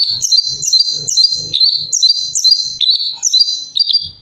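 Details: Orange-headed thrush giving a rapid run of high, rolling chirps and whistles in short repeated phrases, over a steady series of soft low thumps about three per second.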